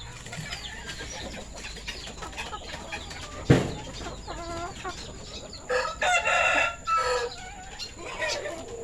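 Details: Male village chicken (Ayam Kampung/Ayam Bangkok) with red and orange feathers on a poultry farm during afternoon feeding, 21 February 2022; a loud harmonic crow near the end follows scattered chirps of small birds over a steady high hiss.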